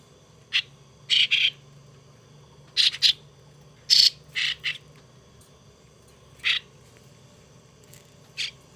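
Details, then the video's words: Hand-raised young starling kept as a pet: short raspy, hissing bursts, some doubled, spaced irregularly one to two seconds apart over a faint steady background hum. "Sáo đá"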